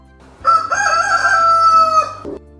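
A rooster gives one drawn-out crow lasting about two seconds: a brief rising start, then a long, steady, strident note that cuts off sharply.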